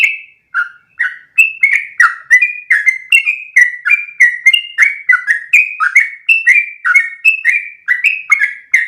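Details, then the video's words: Rapid 'ropel' singing from a sooty-headed bulbul, used as training audio: after two opening notes, a dense unbroken chain of crisp whistles alternating between higher and lower pitches, bouncing along for the rest of the passage. "MASTERAN burung trucukan terbaik biar ikutan ropel panjang 1 nafas"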